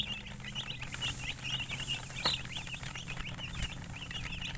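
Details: Chirping of colored chickens alongside a hen: many rapid, high, overlapping peeps running continuously, a steady low hum in the background and one sharp click midway.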